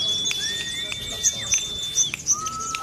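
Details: A Sunda leafbird trained with Ciblek (bar-winged prinia) song material gives thin, sustained high whistles with slow rising slurs and a lower drawn-out note, over light tapping and clicking.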